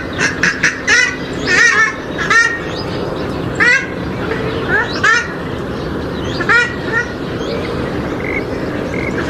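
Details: Swamphen or moorhen calls for attracting birds: a rapid series of nasal, quacking, downward-sliding notes, then scattered single calls, over a rumbling noisy background.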